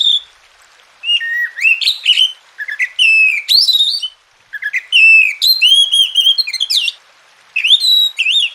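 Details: Oriental magpie-robin, or kacer, singing a masteran track meant to coax sluggish birds into full song. Bright whistles rise, fall and twist into rapid, varied phrases with brief pauses, and no other sounds are heard.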